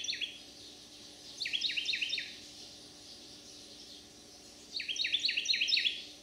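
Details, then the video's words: A resident male Carolina wren in a Manchester, St. Louis County, Missouri backyard, on 30 July 2022, sings two loud, rolling bursts of quick ringing phrases, probably singing for a mate, over an insect drone. "Carolina wren singing his heart out for joy"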